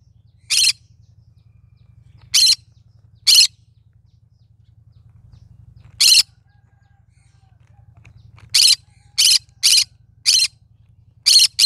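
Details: Rasping, broadband squawks from a cinnamon green-cheeked conure, spaced widely at first, then coming in a quicker run of short bursts near the end; a low hum runs throughout.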